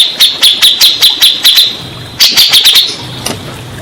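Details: Lure recording of a Grey-cheeked bulbul meant to make stressed birds sing back: a steady string of bright, high chirping notes, a short pause, then a second faster burst of similar notes before fading.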